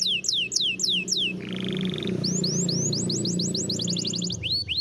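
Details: Spanish Timbrado canary training song over a steady low background hum or music: descending high whistles, a brief metallic rolling trill, then quickening rising chirps that accelerate into a fast trill before two final swoops.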